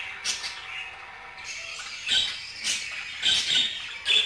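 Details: Budgerigar chatter in soft scratchy bursts, several short grating notes spaced irregularly over a few seconds against a faint hiss.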